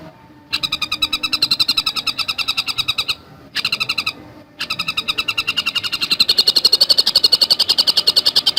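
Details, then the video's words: Javan cuckooshrike singing rapid, tightly packed strings of harsh, high chattering notes. Two short silences break the run before it resumes and grows louder toward the end. "Masteran Burung Tengkek Buto Gacor Speed Rapat"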